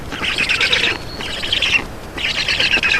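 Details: Black storks feeding at the nest in Estonia, 2 June 2019, mid-afternoon: three harsh, hissing bursts of scratchy calls, each under a second long, separated by short gaps.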